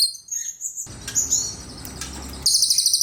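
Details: Cililin singing: bursts of very high, thin chirping notes, with a fast rapid-fire series of sharp high pulses at the end and a gap of low background rumble in the middle.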